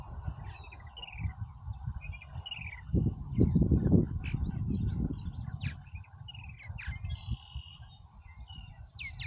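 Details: Busy purple martins at Oak Harbor, Ohio, chatter with quick gurgles, rising slurred chirps and warbled notes, while a heavy low rumble swells in the middle.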